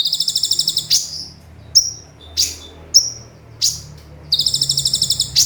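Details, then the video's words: Javan white-eye in lively full 'tembakan' song combined with sparrow and cililin phrases, used as a tutor recording: high buzzy pulsed trills open and close the clip, with sharp rising chirps between them over a faint low hum. "Konin Gacor Full Tembakan Kombinasi Gereja Sambung Cililin"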